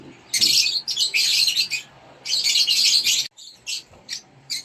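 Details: Rosy-faced lovebird chicks fed in their nest box utter rapid chains of scratchy, buzzing rasps, then scattered shorter hisses.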